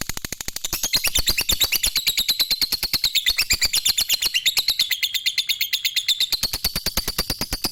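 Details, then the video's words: Lovebird singing: a fast, steady train of sharp chirps, roughly three per second, running unbroken with a high, bright, slightly wavering tone throughout. "suara lovebird merdu"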